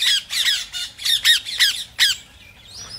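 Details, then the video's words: A rose-ringed parakeet, its sounds meant to stimulate other parrots to call, gives a quick run of six or seven harsh, high screeches over two seconds, then falls quiet. "ببغاء الدرة | أصوات فريدة"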